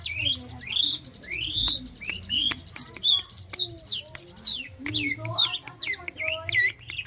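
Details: Pet long-tailed shrike in full, lively song: quick rising and falling whistled notes mixed with harsh chirps, delivered in bursts with brief gaps, over a faint low hum.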